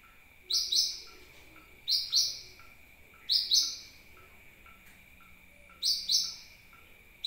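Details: Lure call of a sunbird meant to attract birds: five doubled bursts of thin, piercing high chips, repeated about every one and a half seconds, over a steady faint whine.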